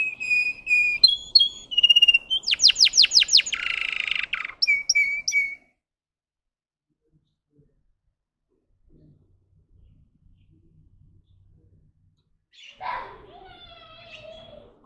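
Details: A Russian singing canary sings whistled notes and a harsh rattling burst for about five seconds, followed by a long silence and a faint later call.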